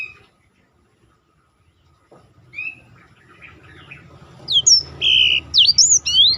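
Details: Black-throated canary in a training recording for contest birds, with a roll-style song: a faint low rumble and scattered soft notes, then a loud burst of sharp whistled sweeps and buzzy trills at the end.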